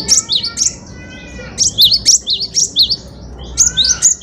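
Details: A cinereous tit (gelatik batu) sings persistently, as a tutor for songbirds: crisp, very high chirps, paired and then in a rapid run of five, clear and close, with faint low background noise.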